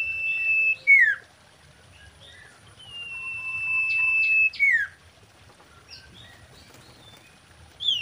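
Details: Common iora, a lure recording used to draw birds into breeding mood: long steady whistles near one pitch, ending in sharp downward slurs, with soft short notes between.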